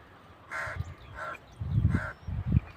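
A crow gives three harsh, hoarse caws about two-thirds of a second apart, over low rumbling wind or handling noise.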